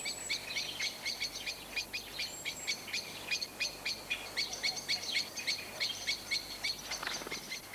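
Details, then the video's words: Common blackbird in a British garden giving its distinctive alarm call, often used when going to roost: a rapid, insistent run of sharp, high 'chink' notes, about four a second, over faint background hiss. "Blackbirds also have a distinctive alarm call which is commonly used when going to roost. [Applause]"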